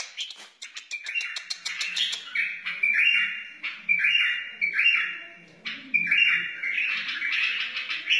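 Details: Wild white-eared bulbul singing, used to teach chicks and stimulate other bulbuls: bright whistled phrases repeated every second or so, each opening with a clear note then a rippling flourish, after a burst of sharp clicks.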